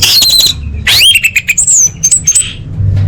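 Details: Female orange-headed thrush calls to attract males, used to coax quiet birds into song: a harsh rasping burst, then a rising squeaky note and a string of high whistled, slurred tones.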